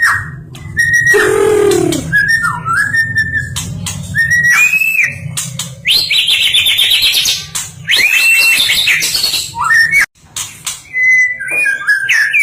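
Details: National champion white-rumped shama singing melodious whistles: a falling slurred note, clear rising phrases and rapid buzzy trills, packed densely with brief gaps, over a low constant hum.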